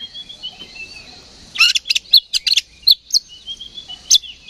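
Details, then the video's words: Oriental magpie-robin provoked by a decoy recording: a faint thin whistle first, then a burst of loud scratchy, buzzy notes and sharp chips repeated in quick succession. "KACER GACOR NGEPLONG TARUNG !! PANCINGAN KACER PALING AMPUH BUAT MENAIKAN EMOSI KACER AUTO RESPON"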